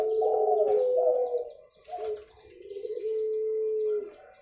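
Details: Spotted dove recorded clearly for luring birds: low, mellow cooing phrases with a rolling start and a long level note near the end, with a short quiet gap in the middle.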